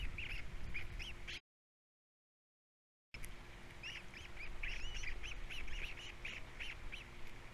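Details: Feeding time at a Captiva osprey nest in 2022 with three chicks, the third most vocal. Rapid trains of short piercing chirps with occasional upslurred whistles, broken by a silent gap, over a low background hum.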